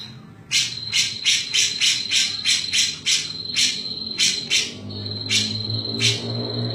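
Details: Grey-cheeked bulbul, known as cucak jenggot, giving its lively 'mbeset-mbeset' song: bursts of scratchy, buzzy notes at first in a fast series, then more spaced out, against a continuous high-pitched tone and a low droning hum.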